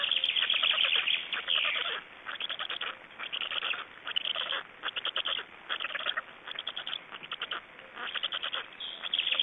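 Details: Estonian black storks at the nest while feeding, late May 2012: rough, buzzy chattering given in clusters of quick pulses, groups separated by short gaps, steady and loud throughout with no other clear sounds.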